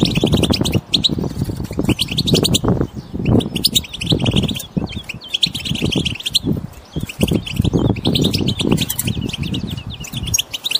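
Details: A group of wild European goldfinches twittering continuously, meant to coax a mute goldfinch into song. High, rapid chirps run throughout, partly masked by heavy low rumbling and knocking noise.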